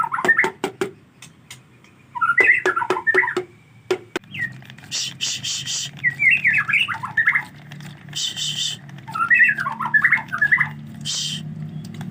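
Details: Rainy-season singing from a white-rumped shama that struggles to bathe: sharp clicking notes open, then varied rapid warbled phrases alternate with harsh buzzy bursts and short silences, over a steady low hum.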